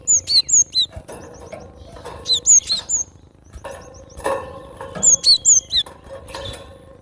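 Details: Cinereous tit (gelatik batu) singing: three bursts of high, thin whistled phrases, each a quick run of sharp, two-part notes dropping in pitch, with quiet gaps and faint background hiss between them.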